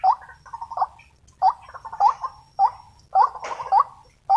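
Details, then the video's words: Agitated wild white-breasted waterhen lured during trapping, giving short upslurred 'wuk' notes, each trailed by a gurgling chatter, repeated roughly every half second to second. "Amukan burung wak wak / ruak ruak liar semasa memikat."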